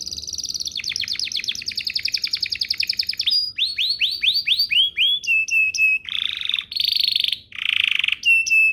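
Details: Lure song of a canary, used to get other canaries singing fast. A long rapid chattering trill gives way to a string of downward-slurred whistles, clipped high notes, and two harsh buzzy rolls.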